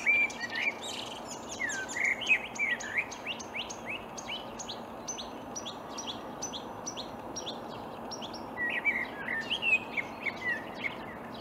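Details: Acrocephalus palustris singing from reeds, Upplands Väsby, Sweden, early morning, May 2020: a long, restless medley of chattering notes, high clicks and looping whistles with constantly changing phrases and short pauses.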